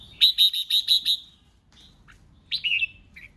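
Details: Red-whiskered bulbul in competitive song meant to provoke rivals: a rapid run of six clear repeated whistled notes, then a pause and a warbling, slurred falling phrase with a short final note.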